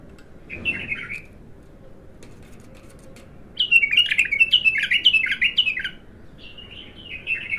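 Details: A bulbul singing its first opening song, raw: a short warbled phrase, a pause, then a loud run of five or six repeated slurred chirping notes, ending with softer twittering.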